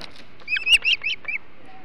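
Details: Osprey on the Hog Island nest during a flounder feast, 21 July 2016; a brief rapid string of five loud, squealing whistled chirps, the middle ones strongest.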